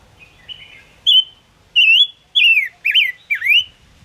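A Gouldian finch sings a faint buzzy opening, then four loud slurred whistles, each dipping or rising, about two per second. No other sounds.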